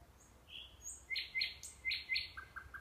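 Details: Nightingale singing near a sanatorium in Kurchatov district, Kursk region, Russia: thin high whistles, then bright rapid two-part notes, ending in three lower, evenly spaced clear notes.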